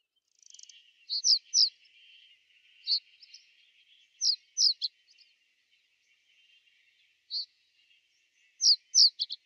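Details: Common reed bunting in winter 2012–2013 at Boxberg, Genk, Belgium, giving thin, high, sharp call notes, often in quick pairs or triplets, spaced irregularly over a faint, steady background twitter.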